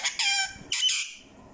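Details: Parrot vocalizing in a room: a harsh, buzzy burst followed by a second rasping phrase, shrill and high, fading into faint background noise.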